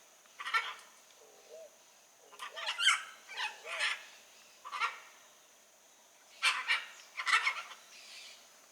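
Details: Wild blue-and-yellow macaw uttering a series of about seven grating squawks, some doubled, with short pauses between, plus faint low short notes underneath.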